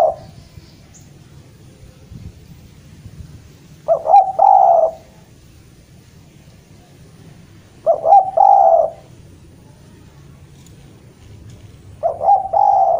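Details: Javanese spotted dove repeatedly calling a rival: three low cooing phrases about four seconds apart, each a stuttering double note followed by a long, soft coo, with quiet pauses between.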